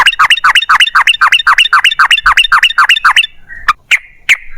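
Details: Yellow-vented bulbul delivering a fast ropel panjang run as a lure for other bulbuls: a rhythmic string of quick, even, chirping notes, then a few spaced single notes at the end.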